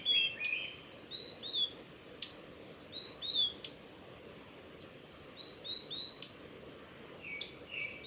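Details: A male Blue-and-white flycatcher singing on the Mizusawa forest road, Tanzawa, Japan, on 8 June 2020: clear, high whistled phrases of falling and rising notes about every two and a half seconds, over soft background hiss.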